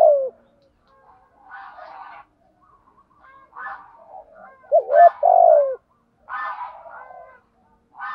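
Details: A male and female spotted dove pair used to stimulate training birds: one loud double-note-and-falling-coo phrase mid-clip, surrounded by repeated higher buzzy, chattering bursts.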